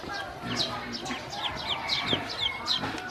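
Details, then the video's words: Hungry baby domestic ducklings given feed and drinking water by a woman, a flock peeping with rapid, high, downward-sliding chirps, several overlapping each second, over a low background murmur. "Hungry baby ducks"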